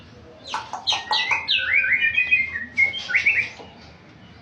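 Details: White-rumped shama, described as a champion songbird, singing a varied phrase of clear rising and falling whistles and quick slurred notes with brief pauses between bursts, over a faint low background hum.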